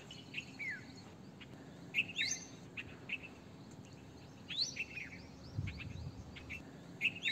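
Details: Red-vented bulbul uttering quick bright chirps that drop in pitch, interspersed with rising whistled sweeps, in clustered bursts; a low rumble briefly underneath near the end.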